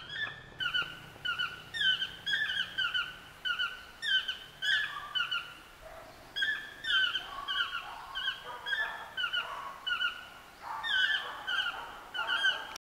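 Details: Toucan yelling from a tree in Limon, Costa Rica: loud, yelping harmonic calls, each short and slightly rising, given in quick overlapping bursts about every two seconds, several voices seeming to answer one another throughout.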